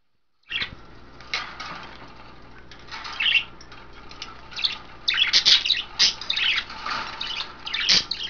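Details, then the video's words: Pet budgerigars in a cage, 9 February 2012, three females bathing in wet vegetables and a water dish among five birds: dense, scratchy chirps and squawks, bursting in clusters and growing busier toward the end, with faint sharp clicks between. "crazy budgie bathing"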